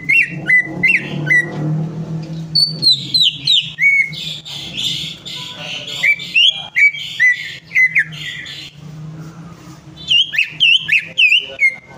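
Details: Greater green leafbird song used to stir a stubbornly silent bird into singing: a busy stream of sharp whistled notes alternating with harsh, buzzy rasping phrases, nearly continuous over a low background hum.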